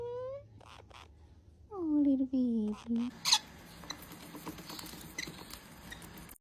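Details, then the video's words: Young parrot, kept as a pet, giving several squeaky, tonal calls that bend up and down during the first three seconds, followed by rustling and indoor background noise. "Have you ever heard the sound of a young parrot"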